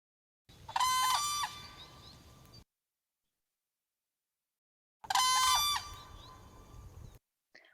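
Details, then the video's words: A Whooping Crane gives its guard call, an alarm call: two loud, single-note whooping shouts about four seconds apart, each rich and brassy, fading with a short tail, unlike the Sandhill Crane's rattle. "so i'm going to play the guard call first and that's again that sort of alarm call and for whooping cranes it sounds kind of like a single note shout"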